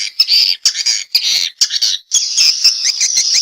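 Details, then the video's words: Response calls of swiftlets: harsh, buzzy high-pitched chatter in rapid bursts with short pauses, then one long continuous stretch of shrill twittering. "Suara Walet respon"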